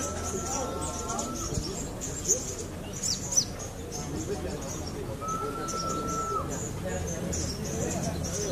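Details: Debuting trotol sogon, a young speckled bird, singing loudly at a competition in Cilacap, Indonesia, where it took second place; two long, steady, mid-pitched whistles several seconds apart, with background chatter and other birds faintly chirping.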